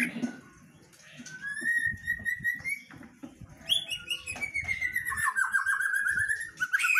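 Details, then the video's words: A female white-rumped shama sings steadily. Long, slightly rising whistled notes are interwoven with high sharp chips and rattling trills, building to a dense, rapid stretch at the end. "MB betina GACOR sampai AKHIR"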